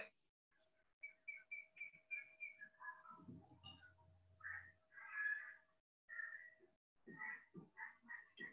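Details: White-breasted waterhen (Amaurornis phoenicurus) giving a rapid run of short, nasal, catlike croaks, irregularly paced, with a brief low hum partway through.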